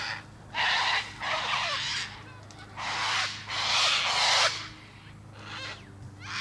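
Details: A cockatoo lets out repeated grating screeches, paired bursts of half a second or more separated by short pauses, loud and noisy across a wide range, a faint hum beneath.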